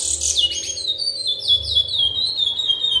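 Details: Breeding male curió, or chestnut-bellied seed finch, gives a few drawn-out whistled notes sliding downward after a sharp high burst, over a low background hum.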